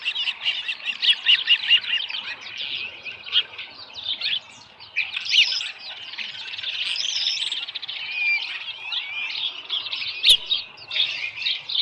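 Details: Osprey at the nest with a live fish on a July 2018 morning; long stretch of continuous excited high chirping and whistled squeals, varying in rhythm, with a sharp snap near the end.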